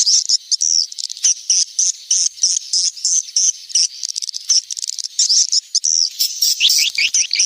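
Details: Swiftlets' lure call for the rainy season, used to draw birds in: a steady run of short, high chirps repeated rapidly, briefly overlapping into wavering twitters near the end.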